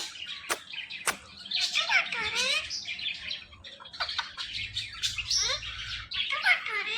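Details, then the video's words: Pet male Indian ringneck parakeet chattering in a talking style: rapid, scratchy, speech-like babble with quick squeaks and sweeping notes, and sharp clicks near the start, recorded indoors with low background hum. "This Ringneck Parrot Is Really Appreciable Because Of His Best Talking"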